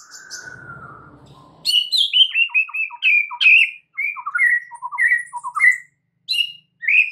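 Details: White-rumped shama used as a lure to make other shamas sing: after a brief low buzzy sound, a rapid series of clear whistled and chirped notes, varied and repeated in short bursts.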